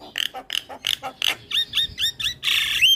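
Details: Javan myna in a training recording for other mynas: a rhythmic series of harsh nasal rasping notes, about four a second, that shift into downslurred squawks and end in a long scratchy note with a rising whistle.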